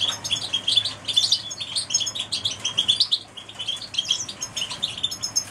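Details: Several canaries in full song, with bright, quick chirps and rolling trills layered over one another in an unbroken high chorus that swells and dips, over a faint low background hum.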